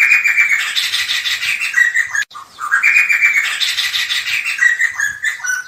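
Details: Black-hooded laughingthrush making harsh, buzzy, drawn-out phrases that slide slightly downward, broken by a brief gap, then repeated with a similar grating, chattering quality.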